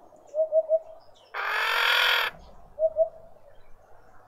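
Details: Harsh, hoarse rasp lasting about a second from a female Red-winged starling coping with an injured beak, in a Pretoria suburban garden, South Africa. Soft three-note cooing comes before and after it.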